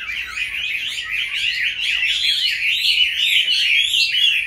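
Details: A captive Chinese hwamei, kept for about five years, pours out a loud, unbroken song of rich, varied whistles and warbles, with rapid slurred phrases rising and falling throughout.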